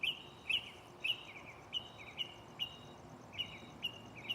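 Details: Mockingbird in a tree beside the recorder at night, repeating a short downward-slurred whistle roughly twice a second, each note trailing off into a softer lower tail, over steady background hiss.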